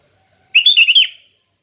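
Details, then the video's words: ["Single warbled phrase of a sooty-headed bulbul, relaxed 'ngeplong' song used for training: four rounded, bubbling notes running together, the last slightly lower, fading quickly."] "Kicau Kutilang Ngeplong Santai"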